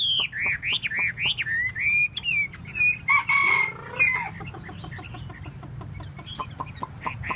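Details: Chinese hwamei performing its tail dance, singing loud looping up-and-down whistles, then a harsh buzzing phrase, fading into soft scattered ticking notes over a low background hum.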